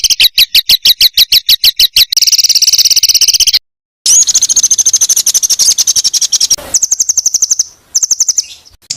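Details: Indonesian master recording of songbird singing to teach contest birds dense rapid-fire fill phrases; high buzzy notes pulsed in fast even bursts, then a long trilled rattle, abrupt edited cuts between phrases.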